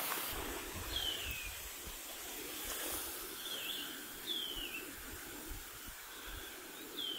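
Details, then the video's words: The first shining cuckoo (pīpīwharauroa) call of spring, 28 September, on a New Zealand farm near scrub below eucalypts: high, thin down-slurred whistles spaced a second to a few seconds apart, over steady background hiss. "First Shining Cuckoo Call of Spring"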